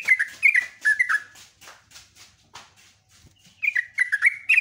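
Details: Sooty-headed bulbul in full long, rolling song used as a lure: bright whistled phrases that rise and drop in quick bursts, a short pause, then another fast burst of whistled notes.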